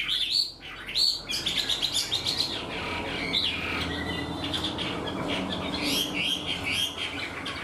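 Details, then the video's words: Untrained caged Chinese hwamei singing in a structured way like a tame bird: sharp opening notes, then a busy stream of high whistles, chirps and quick trills. "Họa mi mộc mau mỏ hót bài bản như chim thuần"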